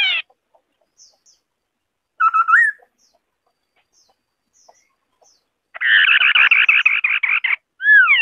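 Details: White-browed scimitar babbler song: a falling whistle, a fluty note ending in a rising twist, a long silence, then an extended rattling chatter and a swooping descending whistle at the end.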